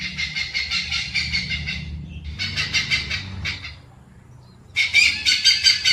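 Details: Rasping, rhythmic cackles from a hornbill come in long pulsed series, then a pause of about a second, then a louder renewed burst.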